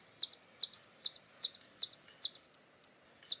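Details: Hummingbird from Brazil giving sharp, high chips, about eight in just over three seconds, spaced roughly every 0.4 seconds, over a faint, steady background hiss.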